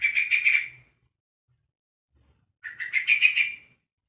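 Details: A juvenile yellow-vented bulbul, aged one month, gives a call to summon other bulbuls: two quick chattering trills separated by a two-second pause, the second rising slightly. No other sounds.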